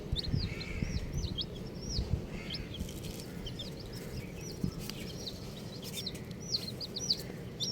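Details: A group of colourful baby chickens cheeping. Clusters of quick, high, bending peeps come in bursts, with faint clicks and a low rumbling background.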